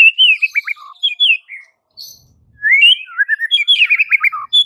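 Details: A white-rumped shama's song, used to train mute birds: tumbling whistled notes and quick chattering slurs, a silent gap of about a second, then a livelier stream of bright, rapid, descending phrases.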